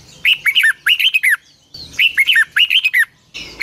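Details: Lure song of a red-whiskered bulbul for morning training, long twisted double-voice style, 2020: four fast, tightly looping whistled phrases with metallic clicks, repeated in quick succession.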